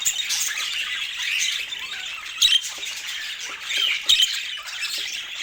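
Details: A budgerigar flock keeps up busy, overlapping high chatter, with scratchy squawks and brief bright chirps over a steady wash of sound.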